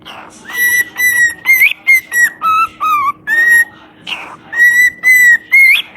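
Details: Parrot whistles a lively tune of short, bright, evenly pitched notes with occasional upward flicks and lower dipping phrases, repeated roughly twice per second, with a breathy rasp between phrases.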